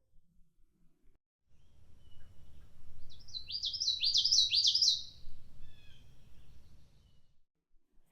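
A male Common Yellowthroat sings a quick run of three or four bright, rolling witchy phrases, high and emphatic, over a low background hum.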